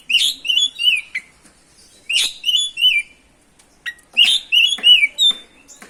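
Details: Oriental magpie-robin singing vigorously, used as a lure to provoke other magpie-robins; bursts of loud whistled, slurred notes with buzzy clicks, in phrases separated by short pauses.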